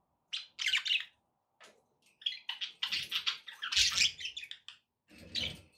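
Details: Pet budgerigars singing indoors, played to encourage a pet parrot to eat and sing: bursts of chattering, scratchy warbling chirps with brief pauses, busiest toward the middle.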